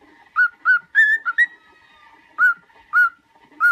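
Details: Cockatiel song for training: clipped whistled notes, some level, some slightly rising, in a quick cluster, then single notes spaced about half a second apart.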